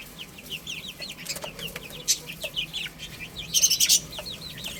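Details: Little chicks playing and eating, a steady stream of short, high, down-slurred peeps from several birds, with a few louder bursts of tapping or fluttering.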